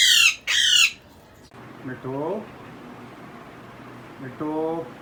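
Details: A six-month-old grey parrot chick in Karachi, tame and just starting to whistle, gives two loud, harsh, raspy squawks in quick succession, then softer, lower, voice-like warbling notes in a quiet indoor room.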